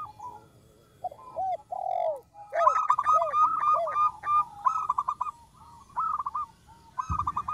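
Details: Local zebra dove singing, used to lure wild doves: a run of short arched cooing notes, then a fast stuttering trill of clipped coos, repeated in bursts with brief pauses and a low thump near the end.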